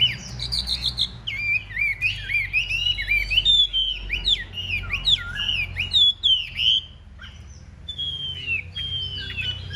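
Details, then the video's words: Chinese hwamei performing a fighting display, kept as a cage bird: a rich, continuous high song of rapid whistled phrases and sliding notes, loud throughout, fading into softer repeated whistles at the end, with a low background hum. "Bộ to đấu xòe hót rất tốt, giộng rất hay | Họat Họa Mi"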